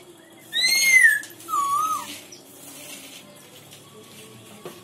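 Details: Black-throated laughingthrush from Myanmar giving two rich whistled notes, the first bright and slurred downward, the second lower and swooping, followed by near silence with faint background hum.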